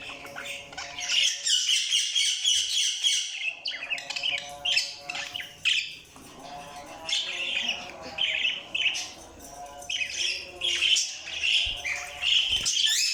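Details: Lively budgerigar chatter, a continuous stream of squeaky warbles and harsh chirps with short breaks, over a faint low hum.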